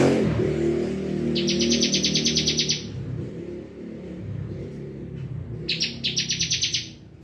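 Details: Full bren singing from a bar-winged prinia: two bursts of rapid, rattling high trills, the first longer, separated by a few seconds of low rumbling hum like distant traffic.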